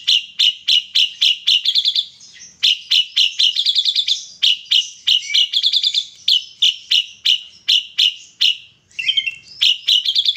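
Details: Ashy drongo of the white-eyed type singing energetically, its song filled with kapas tembak imitation: steady strings of sharp, high chirps mixed with fast rattling trills and a brief twangy phrase near the end.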